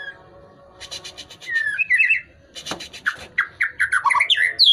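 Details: White-rumped shama, still pushing its tail while singing vigorously: varied phrases of rich, slurred whistled notes mixed with rapid buzzy, rattling note trains, rising and falling quickly.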